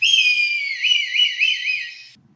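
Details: Red kite (Milvus milvus) in the UK gives a fast, drawn-out mewing call: a single high whistled mew of about two seconds, steady at first, then wavering up and down in quick undulations before fading.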